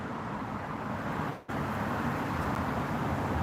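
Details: Dense broadband traffic roar continues throughout, briefly dropping out near the middle, with no animal calls.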